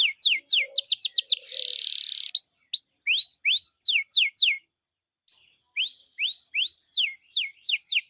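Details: Canary lure song to get other canaries singing: quick falling notes, a harsh buzzing roll, rising whistled slurs and repeated downward sweeps, a short pause, then more rising and falling whistles in a steady run.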